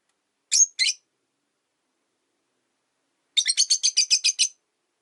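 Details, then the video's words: Three caged rosy-faced lovebirds recently put into one cage, the original white-faced bird unhappy with the yellow-faced arrival: two piercing chirps, a pause, then a rapid run of about nine shrill chirps. "Lovebird Chirping Sounds"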